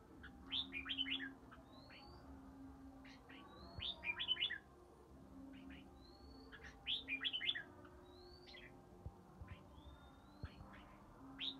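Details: A Ba Tơ red-whiskered bulbul in its third season sings ché fighting song in early spring. Short lively phrases of crisp chirps and upslurred whistles repeat several times, separated by brief pauses, with a low steady drone underneath.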